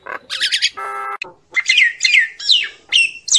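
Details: Common myna calling its flock: a 3-second burst of harsh squawks, a steady buzzy nasal note, then several loud whistled notes that slide downward, one after another.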